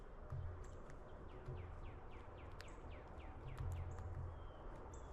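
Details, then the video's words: A Red-winged Blackbird on a backyard feeder tray gives a quick series of thin, downslurred chip notes, several each second, over a steady low rumble and background noise. "A Red-winged Blackbird makes some noise"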